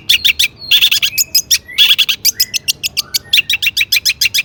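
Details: Long-tailed shrike in emphatic mimicking song, meant to get other shrikes singing: rasping chatter, quick repeated ticks and a few low whistled slurs in a busy, varied stream.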